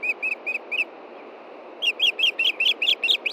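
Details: Montana osprey, a female begging her fishing mate for food before dark on 22 June 2013: four spaced whistled chirps, a pause, then a faster, rising and more urgent string of piping notes.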